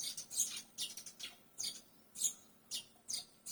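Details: Barn swallow giving high, thin, downward-sweeping chirps about twice per second, a rapid squeaky twitter over light background noise.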